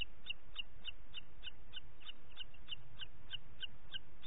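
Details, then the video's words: A booted eagle calls on a June 2021 morning at 09:06 in Parc Natural dels Ports, a steady chain of some fifteen sharp high-pitched notes, about three every second, against low constant noise. "Àguila Calçada"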